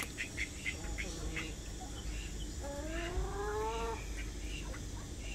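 A white call duck gives a few short nasal notes, then a long, drawn-out, slightly rising quack, over a steady low background rumble.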